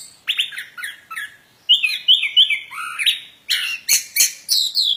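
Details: Plontang bird singing, mixing clipped chirps, a held wavering whistle, a low downslurred note and harsh high rasping bursts near the end, all in a clear quiet setting.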